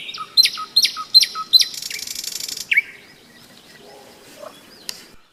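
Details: Nightingale trilling in May near the Seversky Donets, heard while hikers rested: a handful of loud repeated chopped notes, then a harsh buzzy rattle, one rising whistle, and quiet after.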